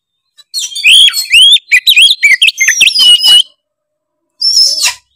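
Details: Oriental magpie-robin singing gacor ngeplong to provoke other magpie-robins: a fast three-second run of varied whistles, slurs and chips, then a pause and one short high trill.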